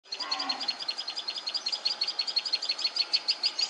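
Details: A sunbird in Khandelwal Colony, Agar Malwa, gives rapid, thin, high-pitched chips, several per second in a steady run, with faint background noise.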